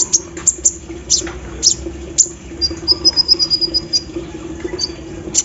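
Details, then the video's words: Olive-backed sunbird in the morning dew with an embroidery-machine filler song. Isolated sharp high ticks give way to a fast, even trill of level notes lasting about a second, then more ticks. A low hum lies underneath. "KOLIBRI NINJA GACOR SAAT DI EMBUNKAN PAGI HARI ISIAN MESIN BORDIR"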